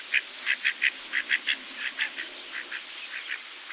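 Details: Pacific black duck calling in a rapid run of short, nasal quacking notes, several per second, loud at first and then fading and loosening toward the end, with faint background hiss.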